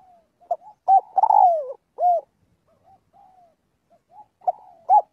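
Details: Spotted dove calling its flock in daily voice training. One full phrase of quick coos, a long falling croo and an arched note, a pause with soft cooing, then clipped coos starting the next phrase.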